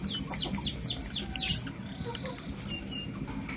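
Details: Blue lovebird in the morning giving a quick run of shrill, downward-sliding chirps, ending in a louder burst. Sparser, softer chirps follow over steady low background noise.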